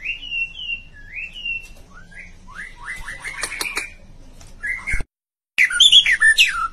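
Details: Chirping style of a white-rumped shama: a series of short whistled phrases, each rising then dropping, repeated roughly three times a second, some sharp clicks, a brief silent gap, then a louder tumble of varied, complex whistles.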